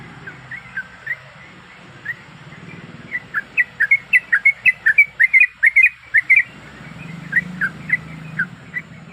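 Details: Female sooty-headed bulbul in breeding condition calling a male: scattered soft chirps build into a fast, loud burst of clipped notes midway, then taper off, with background hiss and hum.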